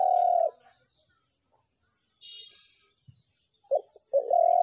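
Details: Spotted dove with one long low coo, a quiet gap with a faint distant chirp, then short clipped notes and another long coo beginning.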